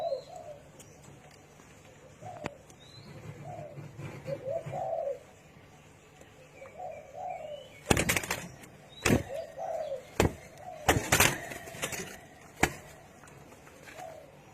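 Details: Spotted dove giving soft, low coos in short rolling phrases, interrupted midway by a run of sharp knocks and clattering bangs, with faint high chirping in the background.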